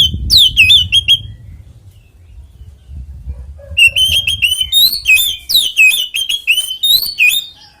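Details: Oriental magpie-robin in 'ngeplong tarung konslet' fighting song, used as a lure so other magpie-robins start singing; a sharp whistled burst, a quiet gap of over two seconds, then a long run of fast, shrill slurred phrases.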